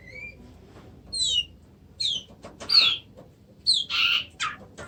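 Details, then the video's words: Oriental magpie-robin giving clear, separated phrases: a thin rising whistle, then falling slurred notes and a loud buzzy burst near the end, with silent gaps between them. "kacer macet"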